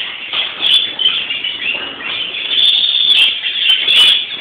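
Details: European greenfinches on Palm Sunday (Florii) keep up a steady, high twittering chatter, dense and continuous, with brief brighter bursts every second or so.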